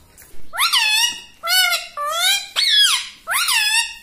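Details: Parrot that talks like a person, repeating five loud, harsh, voice-like syllables about once every 0.8 seconds, each one rising and then dipping, in a quiet room.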